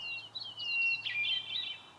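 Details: In Yosemite's high country in the breeding season, a Hermit Thrush sings, using two notes at once: a held, pure whistled note breaking into a quick, fluty, shimmering cascade of overlapping tones over a faint low hum.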